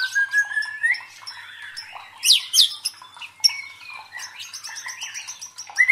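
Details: White-rumped shama song used as provoking sound for fighting birds: a long rising whistle, then sharp high downswept notes and rapid ticking trills.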